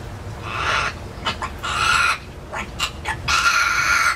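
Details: Talking pet parrot, kept in an indoor aviary and briefly caged when brought out, giving drawn-out, harsh, rooster-like crowing phrases broken by short sharp clicks and bursts, above a low background rumble.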